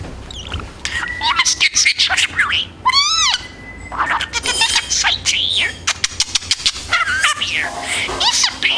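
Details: Pet male budgerigar talking, mimicking human speech: rapid high-pitched chattering syllables and warbles, with a sweeping whistled note near the middle. Quiet room otherwise.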